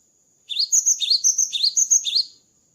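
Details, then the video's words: Gelatik batu, or cinereous tit, after its moult gives a lively series of chirpy whistled notes alternating high and lower pitches, about a dozen in under two seconds, against a faint steady high tone. "GELATIK BATU GACOR ‼️ KICAU GELATIK BATU SETELAH MABUNG"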